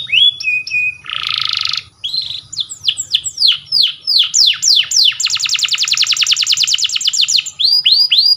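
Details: Canary song used as a training master: a loud, varied run of downward-sweeping whistles, a buzzy block, and a long fast trill of rapid repeated notes, with a faint low hum beneath.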